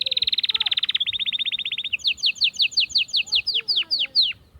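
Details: Atlantic canary song meant to stimulate females for breeding: a loud very fast trill slows into a steadier pulsed trill, then crisp rapidly repeated falling whistles, with faint low tones underneath.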